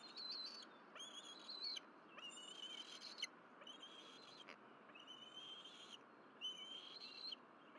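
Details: Bald eagles on their nest at Berry College on a morning in April 2023, where the mother delivers two fish and the juvenile claims them. Drawn-out high whistled calls sound in bursts with short silent gaps, some gliding upward at the start.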